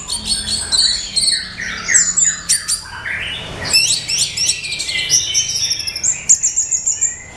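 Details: Orange-headed thrush pouring out a dense, jumbled stream of high squeaky and scratchy notes mixed with quick whistles, almost without pause, ending in rapid repeated chips.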